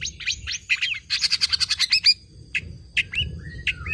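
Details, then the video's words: Tame long-tailed shrike (cendet) in active 'nembak' singing full of imitated fill phrases, used to prompt and tutor other birds: sharp chirps, then a rapid run of about a dozen buzzy staccato notes, followed by scattered whistled slurs over a faint low hum. "BURUNG CENDET JINAK GACOR JUARA SUARA FULL ISIAN NEMBAK"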